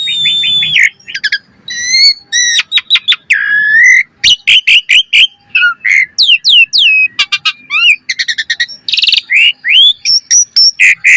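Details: Lively Asian pied starling song in full variation, a training lure for other birds: fast runs of sharp whistles, looping upslurs, rasping chatter and stacked metallic notes, delivered almost without pause.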